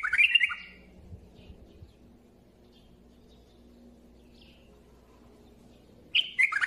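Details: Bulbul singing: a loud burst of bright chirping and warbled notes opens the recording, then a long quiet stretch with a low hum, and another burst of chirpy song at the end.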